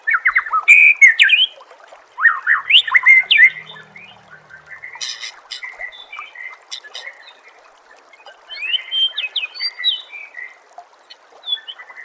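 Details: White-rumped shama song recorded as masteran training audio for captive songbirds: loud bursts of rich, rapidly varied whistles and sweeping notes, pausing between phrases, with softer chips and a faint background hiss.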